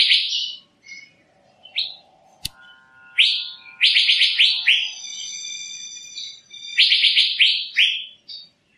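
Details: Asian fairy-bluebird giving loud slurred chirps in quick runs of three or four notes. A steady lower humming tone and one sharp click sound in the background.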